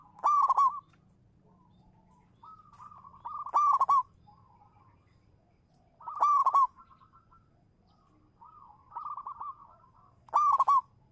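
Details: Local zebra dove (perkutut), a champion singer used as a lure bird, singing: loud rolling, trilled coos about every three seconds, with softer, lower cooing phrases between the bursts.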